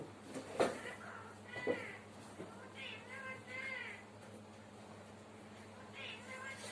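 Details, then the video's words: Parrot from Sri Lanka that talks, counting and singing: a few loud knocks, then arched, harmonic speech-like syllables in short groups, fading to a single brief call near the end, over constant low hum. "Talking parrot in sri lanaka|ගණන් කරන සින්දු කියන ගිරවා"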